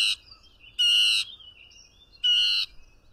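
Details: Mockingbird singing: two loud, harsh, buzzy bursts about a second and a half apart, each roughly half a second long with a raspy, layered tone, separated by faint softer notes.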